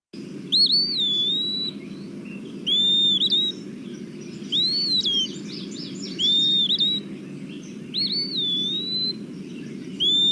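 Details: Eastern Wood-Pewee, a forest flycatcher, singing its name-saying song: clear, slurred whistles, rising then falling like 'pee-a-wee', about one phrase every two to three seconds over a steady low hum.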